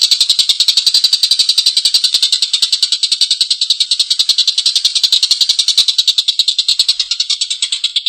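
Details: Collared kingfisher's long, harsh laughing call: quick, rasping notes in a continuous string, about three per second, easing off slightly near the end.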